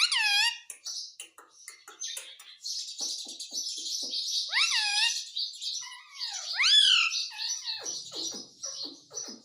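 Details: Captive Indian ringneck parakeet, a pet taught to talk in Hindi, mixes arched voice-like calls with rich harmonics, a swooping rise-and-fall squawk and dense raspy high chatter throughout.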